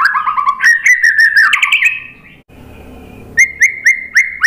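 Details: White-rumped shama song used as a lure to get other birds singing: varied warbled and whistled phrases, a short near-silent gap, then loud repeated downslurred whistles.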